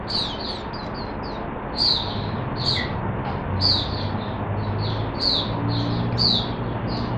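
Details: Caged Oriental white-eye, a bird named Hercules, singing after its cage is opened; high twittering phrases of quick descending notes near the top of the range, in steady runs over low background hum.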